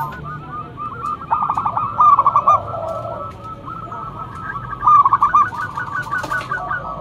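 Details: Local zebra dove, loud lure singer, giving two bursts of rapid clipped cooing notes a few seconds apart, separated by softer trailing coos.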